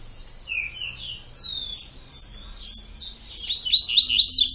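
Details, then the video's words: Two-note "tui tui" song of a double-collared seedeater: quick series of high, slurred whistles and sweeping notes that grow louder and denser toward the end, ending in a bright rapid trill. "COLEIRO DE GOLA TUI TUI 2 NOTAS"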